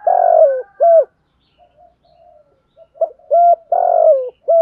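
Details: Spotted dove lure call in the 'Thổ' voice style, used to call in wild birds: deep, hollow coos, a long wavering note then a short falling one, a quiet pause with faint murmurs, then another loud run of coos.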